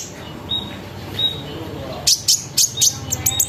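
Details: Olive-backed sunbird (konin) lure song intended to get other sunbirds calling; soft high whistles open, then a series of loud, sharp chips repeats about twice a second over a low rumble.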